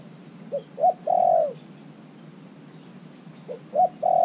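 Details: Caged decoy spotted dove, three months in captivity, cooing to draw in wild doves; two phrases of quick short notes ending in a long mellow coo, separated by a quiet pause.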